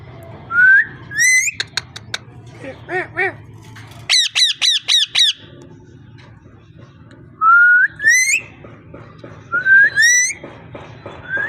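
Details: Parrot producing rising whistles and harsh squawks: a rising whistle pair, short clicks, a run of five loud rhythmic squawks, then more rising whistles, over a low background hum.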